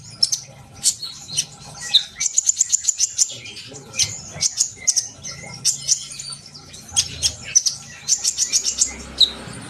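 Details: Lively sunbird twittering for stimulating young birds to sing: bursts of rapid, very high chirps and short trills separated by brief gaps, repeated through the recording.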